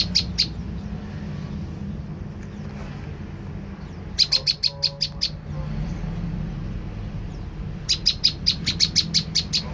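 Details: Prenjak lumut tailorbird call used as a lure so birds answer back: short pair of high chips, then a run of about eight sharp chips, and a longer run of a dozen, over a low hum.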